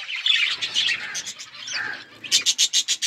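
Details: Budgie flock eating, warbled chattering at first, then a quick regular series of sharp clicking chirps in the final second.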